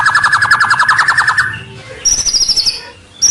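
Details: White-rumped shama song played to lure rivals near: a quick pulsed trill for about one and a half seconds, a brief pause, then a higher thin fluttering phrase and a short final note.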